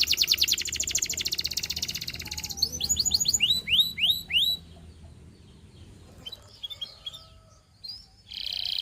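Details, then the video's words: Russian singing canary beginning with a fast buzzy trill, then a handful of loud looping downward whistles, a quiet spell of scattered soft notes, and a final short rolled trill. "A Special Canary to Seduce All The Canaries - The Russian Singing Canary"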